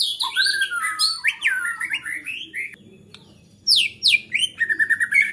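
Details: Agitated white-rumped shama song, said to spur other shamas into singing: a rich run of rising and falling whistles and high squeaky notes, a short silence, then loud descending slurs and rapid chips.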